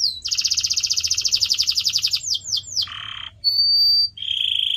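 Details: Canary singing for pet-bird training: a long fast rolling trill for two seconds, three swooping notes, a buzzy rasp, a steady high whistle, then another quick trill.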